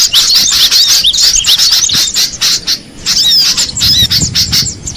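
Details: Wild cinereous tit: clusters of sharp, high twittering notes and short slurred whistles, with a quieter gap partway before the chatter resumes.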